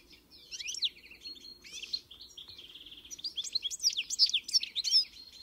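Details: European goldfinch song used for tutoring: liquid twitters and slurred notes, a drawn-out buzzy trill in the middle, then loud rapid chirping phrases with sharp high whistles toward the end.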